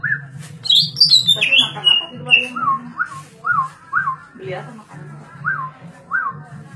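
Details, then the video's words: A green leafbird in full 'gacor' song gives a high descending cascade of whistles, then a series of short upslurred notes repeated about every half second, against a low steady hum. "cak ijo gacor,darderdor"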